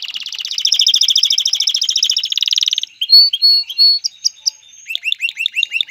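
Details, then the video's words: Male canary song aimed at getting a female ready to mate and build a nest, a rapid rolling trill for nearly three seconds, then spaced clear piping notes and quick rising chips. "اقوى تغريد ذكر الكناري لتجهيز انثى الكناري للتزاوج و تحفّزها على بناء العش"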